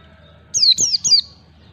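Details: White-eye (pleci) in wild-style ngalas song, used as a lure for young birds learning to sing; three clear high whistled notes, each sliding downward, delivered in quick succession over about three-quarters of a second, then quiet.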